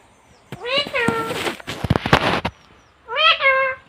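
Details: Talking pet parrot from India, described as female with a cute voice, producing nasal harmonic vocalisations with gliding pitch, a burst of harsh speech-like syllables in between, then another rising-falling drawn-out call near the end.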